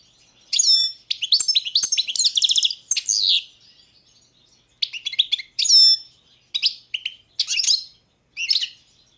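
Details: Balkan European goldfinch (Carduelis carduelis balcanica) singing in a 2022 world championship song competition: bursts of bright, twittering, buzzy high notes with trills, in phrases separated by short pauses.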